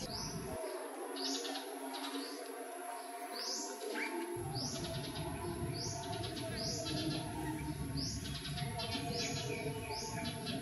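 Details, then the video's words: Grey-streaked flycatcher seen at close range: thin, high, downslurred call notes repeated roughly every second over a steady low rumble of background noise. "Gray-streaked Flycatcher"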